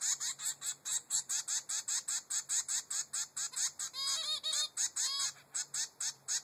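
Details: Three-week-old zebra finch chick begging its mother for food: rapid, regular run of short buzzy high notes about four per second, with a few clearer rising-falling squeaks midway.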